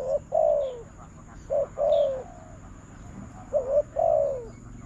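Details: Spotted dove in a bird-trapping contest, calling toward a decoy: three soft coo phrases, each a brief hooting note then a longer downward-sliding coo, separated by pauses of about a second.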